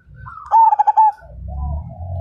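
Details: Zebra dove of the Majapahit line, described as a vigorous fighter singer whose voice prompts other birds to sing; a soft rising coo leads into a loud burst of about five rapid rhythmic coo notes, followed by low background rumble.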